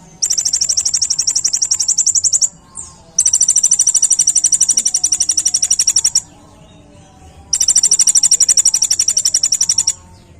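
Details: Sunbird recorded as a tutor song for training other cage birds: three long, very high, dense trills of rapidly repeated metallic notes, each lasting two to three seconds, with brief pauses between them.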